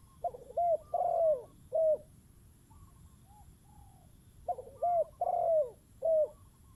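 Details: Decoy spotted dove with a wild bird about to land: two clusters of four hoarse-then-smooth coos, the longest falling in pitch, and a softer, distant coo between them.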